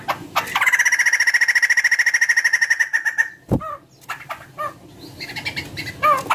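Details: White-crested laughingthrush singing as a lure to get other birds singing; a long, fast rattling trill of about three seconds, then a sharp click and scattered harsh downslurred calls.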